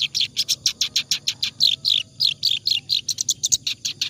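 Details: Clamorous reed warbler in continuous ngacor song, suited to tutoring other songbirds: a steady stream of harsh, grating chattered notes, about four per second, with some higher sweeping squeaks mixed in.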